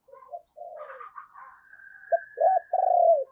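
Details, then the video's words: Captive lure spotted dove calling wild doves: soft murmured notes build into loud, clipped, hollow coos near the end. "Chim Cu Mồi Thúc Và Gáy Gọi Bổi Mới Dùng Kích Bổi Hiệu Quả"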